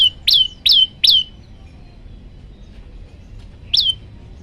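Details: Olive-backed tailorbird song variation used as a master recording for training birds: three sharp, high whistled notes, each dropping quickly in pitch, given about twice a second, then a pause and one more note.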